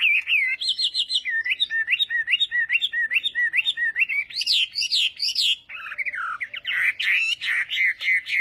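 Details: Chinese hwamei practising its song in the morning, repeated hooked whistles in a steady series, then higher looping notes and a dense burst of varied whistles.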